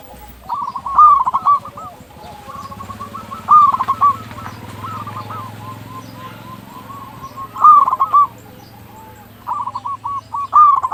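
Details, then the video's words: A local zebra dove sings vigorously, used to prompt silent or stressed zebra doves to call. Loud, rolling phrases of quick pulsed coos come about every four seconds. Softer cooing from other doves fills the gaps. "Perkutut lokal gacor suara paling ampuh untuk pancingan burung perkutut agar cepat bunyi"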